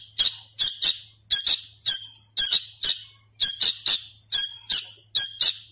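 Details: Hand-reared sooty-headed bulbul chick still learning its voice, begging insistently with fast, repeated grating squawks, many in doubled bursts, around three per second.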